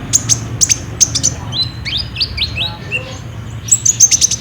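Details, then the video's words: Olive-backed sunbird in 'gacor' lure song for prompting caged birds, phone-recorded: loud, ringing very high chips in pairs, then a run of rising slurred whistles, then more rapid piercing chips. "PAKAI PANCINGAN KOLIBRI NINJA GACOR INI PASTI BUNYI"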